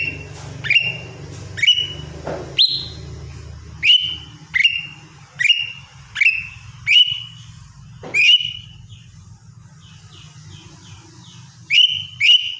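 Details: Greater green leafbird, a lively song meant to get quiet kept birds singing: loud sharp whistled notes sweeping up then leveling, repeated roughly every half to one second, with a steady low hum underneath.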